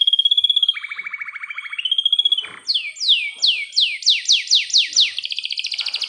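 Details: A canary's long-roll master song, used as a lure for young canaries and for mating: rapid trilled rolls shifting pitch between phrases, then about eight loud descending sweeping notes before another fast trill.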